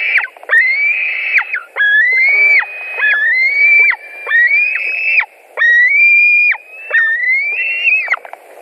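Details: White-tailed eagles at a nest in Latvia, 16 July 2020, a fish delivered and both later eating. Repeated long squealing whistles, some rising in pitch, each about a second and ending in a falling slur.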